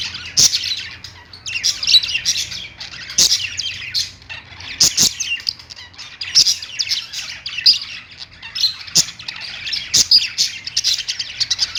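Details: Perched pet budgies keep up a continuous, buzzy, chattering warble of high scratchy notes and squeaks, with sharp tapping clicks every second or two throughout.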